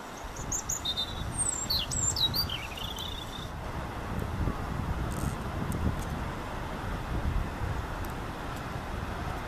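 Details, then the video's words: European robin (Erithacus rubecula) singing at Caión, A Laracha, Spain, 15 June 2013: a brief run of high, thin, wavering warbled notes, then silence over a steady low rumble of wind or distant traffic. "Paporrubio, canto"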